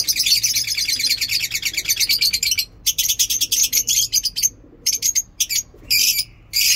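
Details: Lovebirds in a mini zoo singing in the morning: continuous rapid high chattering, shrill and rasping, for over two seconds, then choppy bursts of squeaky notes with short gaps.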